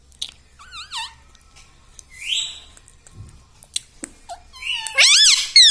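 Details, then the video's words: Pet ring-necked parrot, said to talk and call mummy, utters soft wavy notes and short clicks, then ends in a loud burst of rippling, bending squawky phrases. "parrot talking mithu ||tag name parrot voice||"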